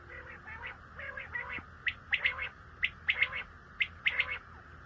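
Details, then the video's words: Common quail calls: crisp, bubbling triple-note phrases recurring roughly every second, with softer lower notes between them and a steady background hiss. "CALL COMMON QUAIL (Coturnix coturnix) Batair ki Awaz , Batair Sound vol 13 , Common Quail Sound 2020"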